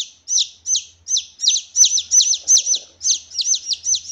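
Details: Red junglefowl chick peeping, loud and clean, used to attract wild junglefowl. Rapid high downslurred notes, often in close pairs, run continuously at nearly three per second.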